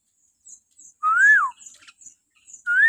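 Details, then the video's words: Common hill myna, morning, used as a lure for captive mynas: one loud, clear whistle rising then sliding down, soft chips around it, and the start of another rising whistle. "suara burung beo melengking"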